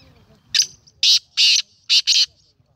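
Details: Black francolin, locally called kala teetar, recorded 19 April 2020: a loud harsh call of five grating, buzzy notes. A short first note leads into paired longer rasping bursts over about two seconds, above a quiet low background hum.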